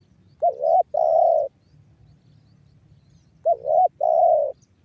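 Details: Spotted dove from Cirebon Utara, West Java, singing the banggo bocor call style, used as a lure to make other doves call: two phrases, each a short hooked note followed by a longer, steadier mellow coo.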